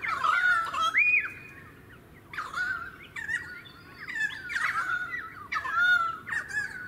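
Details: Pied currawong (Strepera graculina) in a suburban area of the Sunshine Coast, Queensland, February 2018, gives loud, ringing, gurgled phrases that rise and fall with a rough edge, repeating roughly every second and a half.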